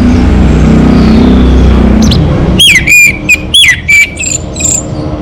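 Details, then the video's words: Lively song of a local Orange-headed thrush: repeated loud whistled phrases with upward and downward slurs and rapid high sweeps, ending in thin high notes, after a stretch of low rumbling noise. "Suara ANIS MERAH Lokal Gacor"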